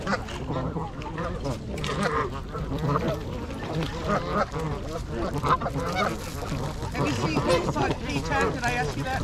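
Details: Trumpeter swans on January 8 at Gallup Park, Ann Arbor, Michigan, part of a wintering group of 42, 26 adults and 16 juveniles, GoPro recording. Brassy honks rise and fall in overlapping bursts, a busy flock chorus with low ambient rumble.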